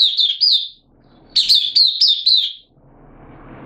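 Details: Caged oriental white-eye (mata puteh) in a 'buka sing' session, 8 September 2022: a short phrase of high thin chirps, a pause, then a louder run of five quick twittering notes before soft background noise.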